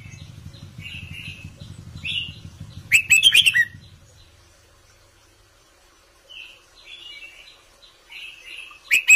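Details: Caged red-whiskered bulbul singing an Indo-style counted song: soft whistled notes at first, then a loud burst of rapid, bubbly warbled phrases near three seconds, quieter slurred whistles, and another sharp burst at the end over a low background rumble.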